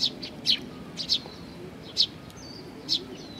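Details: Juvenile sparrows at a feeding spot, Tenmangu, Nakanoshima, 25 May 2020: about six sharp high chirps spread over a few seconds, with a thin whistled note near the end and low background noise.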